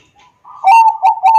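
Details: Bangkok zebra dove phrase recorded on an Android phone in Wiradesa, Pekalongan regency, Central Java, used to coax other doves into song: a soft lead-in, then a loud sustained coo broken by quick rolling pulses.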